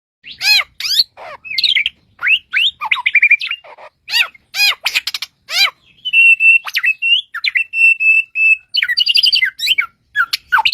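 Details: Bushlark, described as having 1001 original sounds, singing a varied run of sharp chirps and fast descending trills, then a stretch of steady high whistled notes broken by quick twittering phrases.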